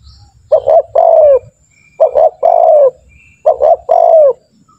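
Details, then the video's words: Spotted dove cooing, used as a lure to train other doves to call quickly: three phrases, each two short clipped coos followed by a longer, slurred, falling coo, repeated about every one and a half seconds; faint low hum underneath. "Pancingan burung tekukur gacor, melatih burung tekukur agar cepat bunyi"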